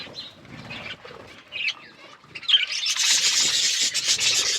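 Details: Budgies eating and playing; quiet scattered chirps at first, then a dense, continuous high warbling chatter from several birds fills the second half.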